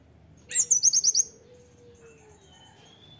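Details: A short loud burst from an Oriental white-eye, part of a master training song: one shrill downslurred note followed by five quick bright chips within under a second, then near quiet with faint thin whistles.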